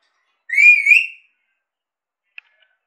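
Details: Whistling from a talking Indian Alexandrine parakeet kept as a pet: one pure, wavering note under a second long, followed by quiet and a faint click.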